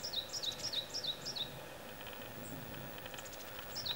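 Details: Varied tit singing from a branch, possibly a nearby Japanese tit instead: five quick high two-note figures, each falling sharply, then a pause and one more figure at the end, against faint steady noise.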